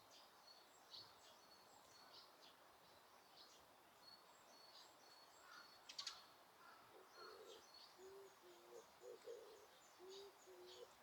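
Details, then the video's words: Birds calling in Osaka Castle Park, recorded with noise reduction applied while no people are around: faint, scattered high chirps throughout, with a run of low, soft cooing or hooting notes in the second half over steady background hiss. "大阪城公園 鳥の鳴き声"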